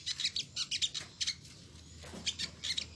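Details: Olive-backed sunbird, a territorial bird found in villages, forests and cities, giving its distinctive 'nyecret' call: sharp, high chirps in short clusters of two to four, with a gap near the middle and a faint low hum behind.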